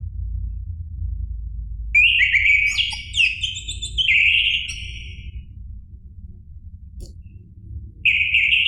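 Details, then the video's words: Orange-headed thrush, a caged bird's song used as a lure to provoke another captive bird into singing: rich warbled and whistled phrases with sharp high accents, then a pause and a brief new phrase, over a low steady hum. "PANCINGAN ANIS MERAH agar Emosi jadi NYAUT BUNYI GACOR NGEPLONG"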